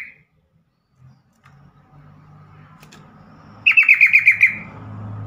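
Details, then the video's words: Yellow-vented bulbul calling, a call meant to get other bulbuls singing: after near silence with faint low rumble, one sudden burst of quick, bubbling repeated notes lasting under a second. "trucukan call AMPUH atasi burung trucukan bakalan.macet.stress langsung Nyamber bunyi."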